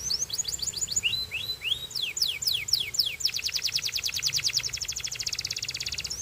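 A Belgian canary sings a bright, high song: sweeping whistled notes, then a fast, even trill of rapid chips, with a faint low hum behind.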